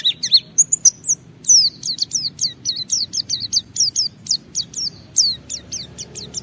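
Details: White-eye 'ngalas' song used as a lure for other white-eyes. A long steady series of high, sharply down-slurred chirps repeats about four times per second, with a few tinkling notes at the start.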